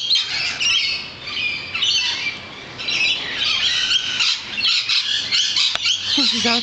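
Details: Flock of lorikeets near a balcony, a constant wall of harsh, high screeches and chirps overlapping without pause, with a brief sharp knock near the end.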